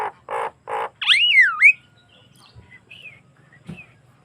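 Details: Javan myna singing steadily, recorded naturally as a lure to get other mynas to copy its song: three harsh buzzy bursts, then a loud whistled swoop dipping and rising, then soft scattered notes and faint clicks.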